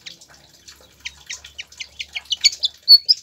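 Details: Pied fantail singing, meant as a tutor for caged birds: an accelerating string of short, bright chirps growing louder, closing with a pure high whistle.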